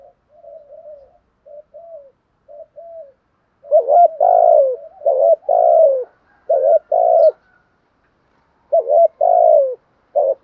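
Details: Spotted dove cooing in the 'thúc gù' style: three soft, low coos in the first seconds, then a run of loud, rounded two-part coos, each a short rising note followed by a longer falling one, with brief pauses.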